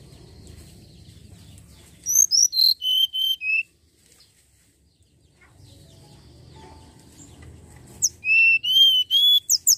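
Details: Common iora song used to lure other birds into singing: two bursts of very high, clear whistled notes, each phrase stepping downward in pitch, separated by a quiet low rumble.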